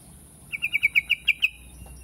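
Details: Yellow-vented bulbul sounding eight rapid, clipped, ringing notes evenly spaced on a level pitch, the last two slightly louder, with a faint constant high hiss behind.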